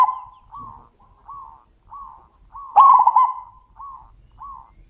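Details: A distant zebra dove repeats short trilled coos about every two-thirds of a second. A nearby bird answers with one loud, rapid rolling phrase.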